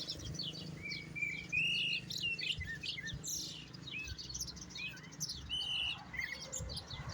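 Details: European goldfinch singing: rapid twittering of short chirps and liquid trills, with a few brief rising whistles mixed in, over a low background rumble.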